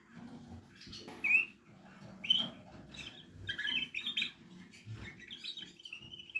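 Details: Portuguese Harlequin canary chicks make scattered high cheeps and short twittering bursts that grow busier toward the end, with a faint low hum and occasional rustles behind.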